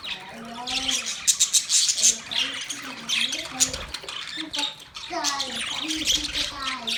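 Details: Budgies giving fast, harsh chirps and squawks over a steady chatter, mixed with lower voice-like warbling notes that rise and fall in short phrases.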